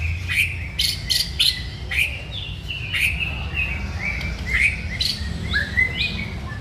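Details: White-rumped shama in full song: loud, clear whistled notes, sharp upslurred chips and slurred phrases repeated about once a second, over a steady low rumble of background noise.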